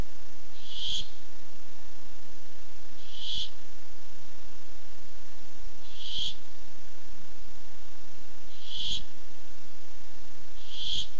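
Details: Barn owl looking for food (8-7-15) repeats a harsh, breathy screech five times, roughly every two and a half seconds, each burst short and rough against low background hum.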